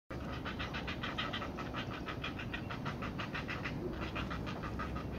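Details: Heron chicks being fed by a parent, with beak biting during feeding: a fast, steady series of dry, clattering ticks repeated throughout, over a constant low rumbling background noise.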